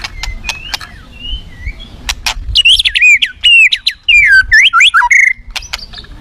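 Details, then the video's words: Provocative aggressive song of a white-rumped shama: scattered clicks and soft whistles, then a loud burst of rapid zigzag warbling notes over faint background hiss. "bergaya agresif kicaunya mendongkrak murai lain bongkar isian"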